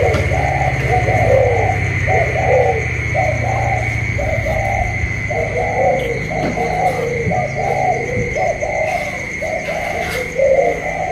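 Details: Caged decoy spotted dove in a cooing duel with a wild bird outside, 27 October 2022; long run of repeated low, rolling coo phrases, about one a second, with two birds overlapping, low rumble and constant whine behind.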